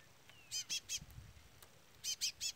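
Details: Chestnut-bellied seed finch chick peeping near a brown-plumaged bird: two sets of three loud, high, short notes separated by a second-long pause, with a soft low thud between.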